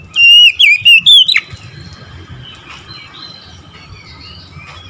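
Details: Morning song of an Oriental magpie-robin, a single brisk phrase of bright, wavering whistles in the first second and a half, followed by near silence with faint distant chirps.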